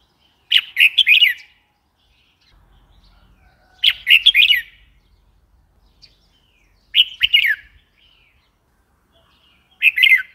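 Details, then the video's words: Red-whiskered bulbul calling: short bright chirpy phrases of three or four quick warbled notes, repeated about every three seconds, with faint low rumble between phrases. "Red whiskered bulbul call 04"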